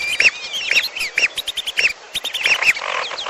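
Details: Bird-trapping lure mixing lesser whistling duck and piolo calls: quick series of bright, arched whistles in overlapping bursts, with a busy flock chatter underneath.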